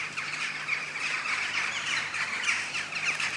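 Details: Dense chorus of a big western jackdaw flock at sunset near its roost trees in The Hague, Netherlands, October 2015; many squawking calls overlap into a constant chattering wall of sound.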